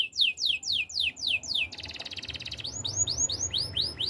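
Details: Belgian canary in a training song, giving slow clear downward-slurred whistles, a fast buzzing trill, then rounded arched chirps repeated at an even rhythm.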